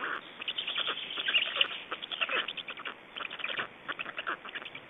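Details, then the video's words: Black storks in Estonia during feeding and change-over on 25 May 2012, late afternoon: irregular bursts of scratchy, chattering calls, some louder rasping notes, in quick uneven runs over faint background hiss. "Estonian Black Storks - Feeding and change"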